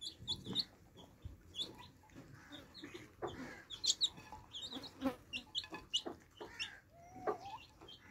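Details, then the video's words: Thin high peeps from baby chicks drinking fresh water come in irregular clusters, with soft taps between them and a lower rising whistle near the end. "Thirsty Chicks Quenching Thirst With Fresh Water Baby Chicks Relaxing Sound"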